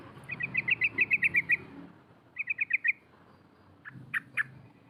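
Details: A female sooty-headed bulbul rolls out 'cok cok' calls to lure rivals: a quick bubbling trill of chips, a shorter trill after a pause, then a few scattered sharper notes against faint background rumble.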